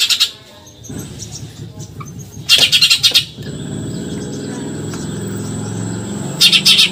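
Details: Eurasian tree sparrow delivering short bursts of fast, high, scratchy 'tembakan nyerecet' chatter at the start, middle and end, separated by gaps filled with a steady low rumble like passing traffic.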